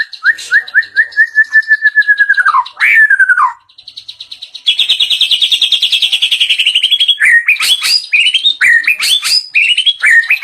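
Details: White-rumped shama singing varied fills: upslurred whistles leading into a long, gradually falling whistle, then a steady fast rattle at mid pitch, ending in loud, jumpy whistled phrases with piercing high notes.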